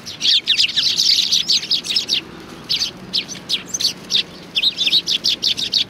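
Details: Several sparrows coming to be fed at a Tenmangu shrine on 25 November 2020, giving dense bright chirps in quick overlapping bursts, nearly continuous over six seconds.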